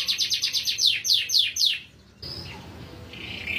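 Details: Canary (Serinus canaria), song.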